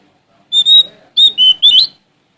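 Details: Sumatran magpie-robin male singing in challenge: a few clear high whistled notes, one sustained, then rising and wavering whistles in quick succession.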